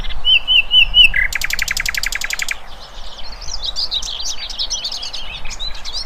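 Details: Birdsong in the wild: a clear wavering whistled phrase, then a rapid dry rattling trill of evenly spaced notes, followed by a mix of quick high chirps from several birds.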